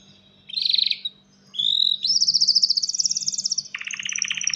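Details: Male canary calling a female for mating: a short buzzy phrase, a smooth whistle, then a long, very high, rapid trill, which drops into a lower rattling roll.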